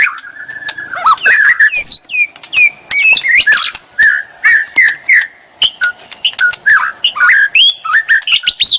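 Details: White-rumped shama singing to provoke a murai into answering bravely; a long low whistle, then spaced bright whistled notes and slurs with scattered sharp clicks, a thin steady high tone behind.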